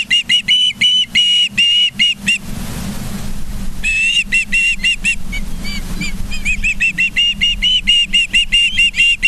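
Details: Charlo, Montana osprey nest, 24 August 2023, 09:29, on a live cam: quick bursts of shrill whistled cheeps, a brief pause with a soft rushing sound, then the rapid calling resumes and speeds up.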